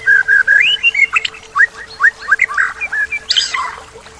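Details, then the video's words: White-rumped shama, mimicry-rich isian song: a fast string of clear, rising whistled notes and short slurs, varied in pitch, delivered almost continuously, ending in a brief burst of harsh chatter over a faint steady hum. "Full Isian Murai Batu"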